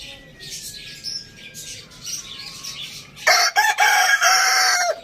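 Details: Rooster at a farm village, heard after a few seconds of quiet high bird chirping: a sudden loud crow with a couple of short stuttering notes, then a long drawn-out harsh note.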